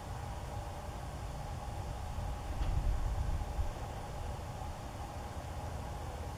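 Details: Steady low rumbling noise with a faint broadband hiss and no animal calls.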